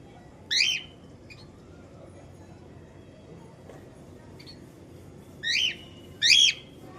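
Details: Cockatiel, a parrot, giving three short harsh screeching calls with a sharp rise and fall, one early and two close together near the end, separated by quiet stretches with faint low background hum.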